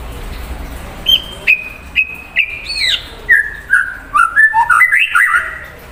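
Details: White-rumped shama in active song to excite an untrained shama: a few steady whistles, a sharp upward flourish, then a descending string of short varied whistled notes, growing faster and more jumbled.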